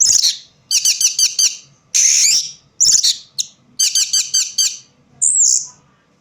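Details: Orange-headed thrush in low light giving harsh, rattling stuttered phrases and buzzy bursts, repeated in groups, closing with a single high whistled note.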